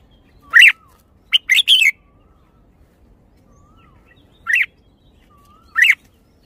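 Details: Red-whiskered bulbul with loud, clear chirped notes and a short three-note phrase, sounding now and then over about six seconds, with faint, soft sliding whistles heard between the louder notes.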